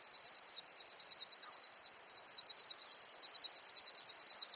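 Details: Grasshopper warbler of the genus Locustella delivering a continuous shrill reel, regular pulses about eleven per second at unvarying high pitch, swelling slightly toward the end, quiet surroundings.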